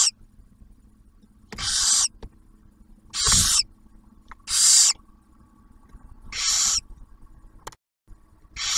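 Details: Barn owls at a nest near Oak Harbor, Ohio, the male bringing food for the female and the first hatched owlet; irregular harsh hisses, five bursts with uneven spacing, a brief thump and a short dropout.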